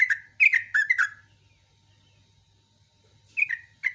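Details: Morning 'ropel' song of a yellow-vented bulbul with chattering and sharp notes: a rapid burst of loud, warbled phrases, a silence of about two seconds, then the song resumes.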